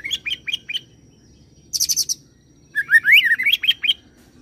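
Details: Oriental magpie-robin singing cililin and serindit imitations: several short hooked whistles, a dense high ticking burst, then a rising jumble of slurred whistles; low hum behind.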